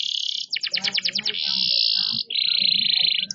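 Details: Canary in full song while moving about: a sustained high buzzy trill, a run of seven quick pulsed notes, then two long level rolls at slightly different pitches, loud and close.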